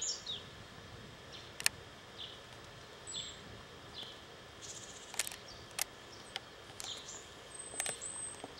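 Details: A Japanese tit sings in mountainous Kanagawa, Japan, on 28 May 2010, giving faint, high, thin notes sliding downward, repeated roughly once a second, over a soft background hiss with a few sharp clicks.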